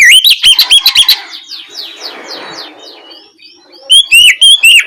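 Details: Ngeplong song of an Oriental magpie-robin, played in the evening to stir another magpie-robin into replying: clipped whistles about twice a second, then a softer scratchy trailing section, then fresh upslurred whistled notes.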